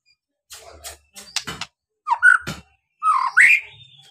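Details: Lure recording of a white-rumped shama meant to provoke other birds into singing: a few rasping bursts followed by two loud, rich whistled phrases with sweeping slurs.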